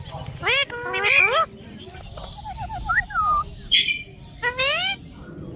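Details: A pet Indian ringneck (rose-ringed) parakeet mimics speech in bursts of harmonic, voice-like syllables mixed with rising whistles and a quick run of chirps; a low hum underlies it.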